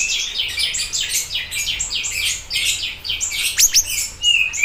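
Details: Siri-siri bird singing energetically for a lure and tutor recording: quick, jumbled high chirps and buzzy twitters, ending with a few sharp whistled notes.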